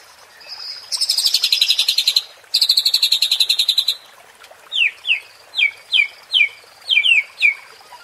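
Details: White-rumped shama lure sound for fighting-spirit training: two long, fast buzzy rattles, then a run of crisp descending whistled notes in rapid pairs.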